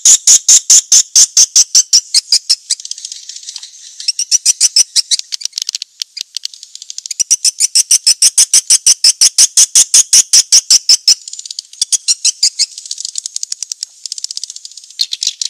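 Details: High, rapid chirping of swiftlets in a lure track meant to attract the birds: long, even series of sharp ticking notes, fast and regular, in loud and softer phrases with short gaps between.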